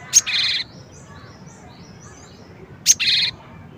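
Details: Cinereous tit giving two harsh calls about 2.7 seconds apart, each a sharp high click followed by a buzzy, rasping note lasting about half a second, with faint distant twittering from other birds between them.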